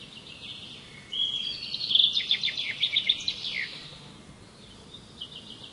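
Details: Songbird singing outdoors: a high whistled note opens a quick run of sharp, repeated chirps lasting about two and a half seconds, ending in a few sliding notes, followed by faint distant twitters over a soft background hiss.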